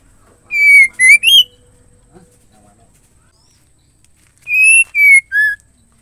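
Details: Female white-rumped shama call used to prompt males to sing: a burst of three pure whistled notes, a long silence with a faint click, then three more whistles, the last lower in pitch.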